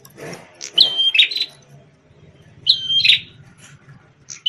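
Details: A prinia called prenjak tamu, red-headed and celebrated as a powerful singer once used to tutor white-rumped shamas, gives two bright whistled phrases ending in buzzy chatter, preceded by soft thumping and rustling sounds.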